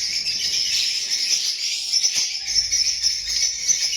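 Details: A steady, high, shrill babble of overlapping chirps from a group of lovebirds, with occasional brief clicks beneath it.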